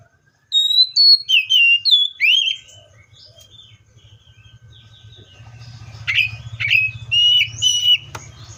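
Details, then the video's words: Seychelles magpie-robin: bright whistled phrases for the first few seconds, a quiet stretch with low background rumble, then sharper descending notes repeated about twice a second. "COPSYCHUS SECHELLARUM BIRDS SOUNDS LIKE IN NATURE LOUD CLEAR SOUNDS"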